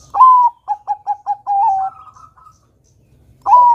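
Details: Singing Bangkok-variety zebra dove, kept to prompt young birds to sing. A bright upslurred note is followed by five rapid staccato coos and a sustained final coo. A fainter higher note follows, then the next phrase begins.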